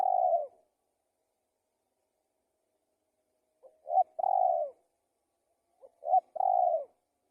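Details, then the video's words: Spotted dove giving low hollow coos, a single coo followed after a pause by two short notes and a longer drawn coo, repeated twice. "Tekukur Gacor"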